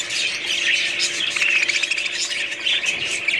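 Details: Budgies squawk and warble together, with a run of clear whistled squeaks in the middle over continuous scratchy chatter.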